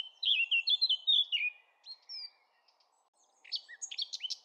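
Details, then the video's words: Eurasian blackcap giving a warbled phrase of connected fluty notes that falls away, then a short gap before a second burst of sharp, bright chirps. "SONG OF THE BLACKCAP"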